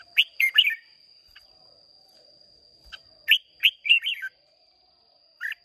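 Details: Red-whiskered bulbul in a singing contest, caged, Hòa Bình stock, Vietnam, 30 May 2023: two quick bursts of rich, bubbling whistled phrases separated by a quiet gap, ending with a lone chirp; a steady high hum runs throughout.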